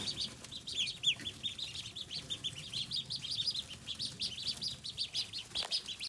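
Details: Pekin ducklings peeping, recorded 14 August 2020: many bright, short chirps repeated quickly and overlapping, a few louder rising notes near the start, over quiet low noise.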